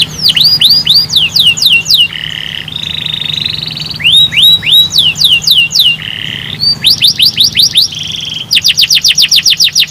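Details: Canary song aimed at making other canaries sing: bursts of rapid sweeping notes alternate with buzzy held trills, ending in a fast, very regular rattle of repeated notes, loud and clear throughout.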